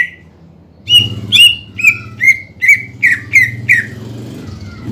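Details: Singing greater green leafbird in gacor style, played to make lazy birds sing again: after a brief note, seven rapid whistled downslurred notes follow, with a low hum underneath.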